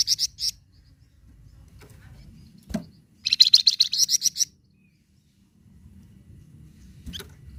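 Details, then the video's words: Flamboyan bird song intended to stimulate captive birds: short high chips at the start, a sharp click, then a fast volley of bright, high repeated notes for about a second. "Suara Khas Burung Flamboyan Sangat Ampuh Bikin Flamboyan Bunyi"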